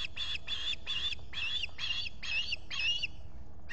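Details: At a nest in the Finger Lakes, US, an osprey calls as a visitor appears on a July 2021 morning; eight piercing, slightly buzzy squeals follow one another quickly, about two per second.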